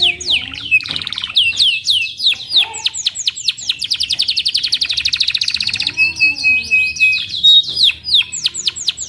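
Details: Loud, continuous canary song of fast repeated chirps and rolling trills, then a drawn-out steady whistle, then more quick sweeping notes, recorded close with a quiet background.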